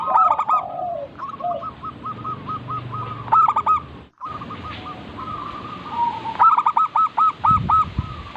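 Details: Local zebra dove singing in a lure recording: several bursts of loud stacked notes, each followed by rapid repeated mid-pitched coos, with a brief silent break and low rumble near the end.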